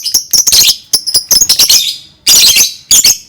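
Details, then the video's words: Lovebird song meant to get other lovebirds singing: bursts of shrill, scratchy chattering and high squeaky notes, broken by short pauses, with longer dense bursts near the end. "Dijamin Lovebird pasti langsung ikut bunyi"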